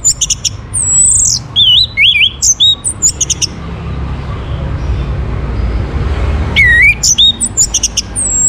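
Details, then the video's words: Orange-headed thrush in full song, played as a lure to set other birds singing: clear, varied whistled phrases sweeping up and down, delivered in rapid bursts. A pause of constant low background hum separates the bursts. "KICAUAN ANIS MERAH UNTUK PANCINGAN AGAR BURUNG IKUT BERKICAU"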